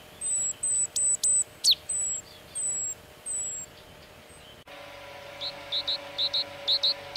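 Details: Great tit (Parus major) recorded in León, Spain, March–April 2019: a series of very high thin whistled notes repeated rhythmically, then after an abrupt break a lower run of short paired notes repeated about twice per second.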